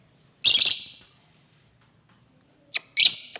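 A parrot gives two harsh, raspy screeches about two and a half seconds apart, the first drawn out, with a brief click just before the second.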